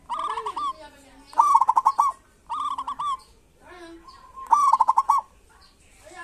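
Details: Local zebra doves in full kerot and bekur song, meant to prompt silent doves to sing and come into breeding condition: short bubbling coos alternating with loud staccato trills, plus a low soft coo in the gaps.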